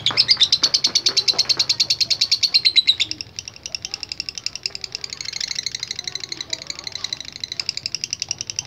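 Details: Lovebird delivering a ngekek burst of quick harsh chattering notes for three seconds, then a quieter, looser high twittering continues alongside faint background murmurs.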